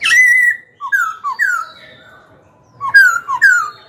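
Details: Young Black-throated Laughingthrush singing to lead wild-caught birds, provoke rivals to fight and train young birds: a sustained ringing whistle, then short slurred whistles dipping and rising, a pause, and a loud burst of bright falling notes.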